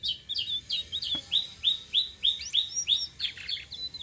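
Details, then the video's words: Citrine blue-shawled flowerpecker in rolling song, used to attract other birds: a string of high, downslurred chip notes repeated about three times per second, ending in mixed twitters. "BURUNG TLEDEKAN SITRUN SELENDANG BIRU NGEROLL||BISA BUAT PANCINGAN"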